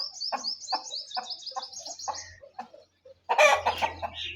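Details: Rooster at mating time giving a steady series of short, low clucks about twice a second, under a fast, high trilling chatter from small birds, ending in a loud, harsh burst of fowl calls.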